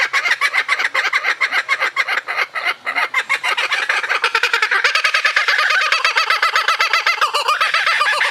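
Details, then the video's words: Loud kookaburra laugh, rapid chattering cackles that build into an even faster, rolling, more tonal hooting run in the second half. "Laughing Bird - Kookaburra"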